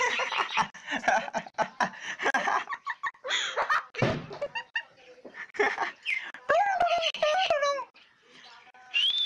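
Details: Pet myna kept indoors that can make many kinds of sounds and talks like a person. Here it gives loud, voice-like babbling syllables, then bent whistled notes rising and falling, with laughter-like bursts and a small room's echo.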